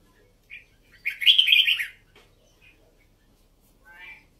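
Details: Red-whiskered bulbul song, Vietnam and Uttaradit type: a short introductory chirp, then a full, buzzy, bubbling warbled phrase of about one second, followed by a few scattered soft notes in quiet surroundings.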